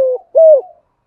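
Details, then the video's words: Spotted dove, 'thúc gù' coo in the 'giọng thổ' voice style: a short, soft hoot followed by a longer, smooth coo that swells and then falls away, heard cleanly with no other sounds. "Tiếng cu gáy thúc gù giọng thổ"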